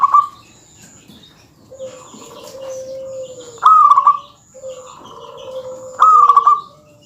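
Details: Zebra dove of a local strain singing loudly to provoke rivals. Quick rippling coo phrases of stuttered notes alternate with a lower, drawn-out humming coo, and a faint high whine runs in the background.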